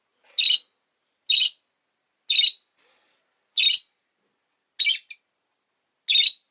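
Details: Steady series of six loud, grating chirps, roughly one per second, from two rosy-faced lovebirds huddled at an entrance.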